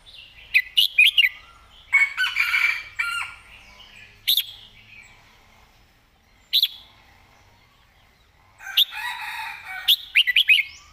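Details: Caged red-whiskered bulbul singing the master-song style with clearly articulated phrasing: bright, warbled phrases in short bursts, several quick notes at the start, a long pause, then a louder rapid cluster at the end.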